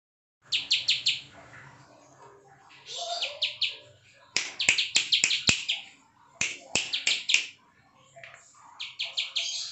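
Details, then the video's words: Bar-winged prinia, ciwah prenjak klik type, in bursts of quick high chirping notes with pauses between them, mixed with sharp clicking snaps and a faint low hum. "CIWAH PRENJAK KLIK PALING GACOR NGEBREN"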